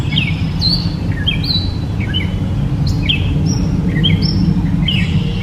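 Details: Gray catbird giving a series of short, sharp chirps and upslurred squeaky notes, varied and repeated about twice a second, over a steady low rumble of background noise.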